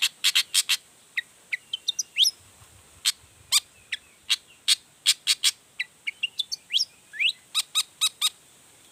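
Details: Long-tailed shrike singing a lively provoking song meant to spur other shrikes to answer: dense bursts of piercing high clicks mixed with short rising and falling whistled slurs, delivered in quick irregular runs over a faint hiss.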